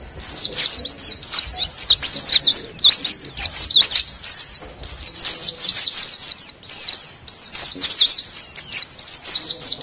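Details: White-eye lure sound for attracting wild birds: bursts of rapid, thin, high chirps and trills, separated by short drops in loudness, in a continuous busy chorus.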